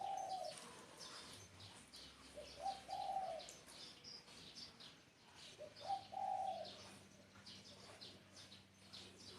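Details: Spotted dove repeating its low cooing phrase three times, roughly every three seconds, each a short note then a longer hooted one, with chirping small birds and a faint low hum in the background.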